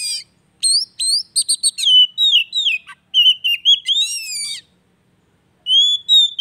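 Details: Continuous Oriental magpie-robin song for rousing a bird that has stopped singing: rapid sharp upslurred notes and ticks, then long mellow whistles dipping and rising, a short silence, and a final sweet whistle.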